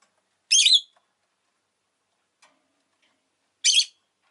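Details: Rosy-faced lovebird kept as a pet, giving two short, shrill, harsh chirps about three seconds apart, each a brief rasping burst, with near silence between them.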